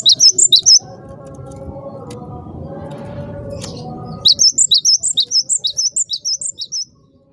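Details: Cinereous tit lure call to make others respond: a quick cluster of shrill chirps, a gap filled with low hum, then a long, evenly spaced series of about fifteen high notes fading slightly.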